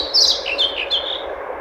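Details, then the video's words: A short burst of European pied flycatcher song: a few clear, high, slightly descending notes in quick succession, with a low hum of background noise. "Мухоловка-пеструшка поёт"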